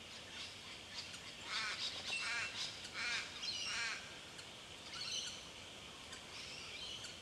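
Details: Bell miner, known by the Aboriginal name jumjum, recorded in Victoria, Australia, in March 2011; a burst of bright, down-curving chirped notes between about two and four seconds, then scattered fainter high notes over steady background hiss.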